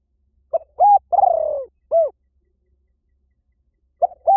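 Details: Spotted dove decoy call, said to bring birds in fast in any forest. One full phrase of a short coo, a level coo, a long falling tremulous purr and a brief arched note, then a pause before the next phrase starts.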